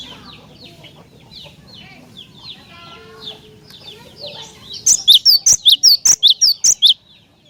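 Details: Cinereous tit song, used to provoke other tits into singing: softer mixed chirps and trills at first, then a loud, rapid series of about twelve sharp, high two-pitched notes alternating between higher and lower tones.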